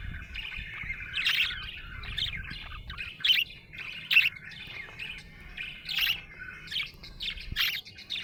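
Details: Happy budgerigar chirping: bright, high chirps and short twittery bursts come in irregular clusters about once a second, some louder and sharper, with quieter warbling between them and a soft low rumble underneath.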